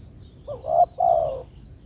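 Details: A single call phrase of a spotted dove summoning companions: a short rising, bending note, a brief gap, then a longer mellow coo sliding gently downward.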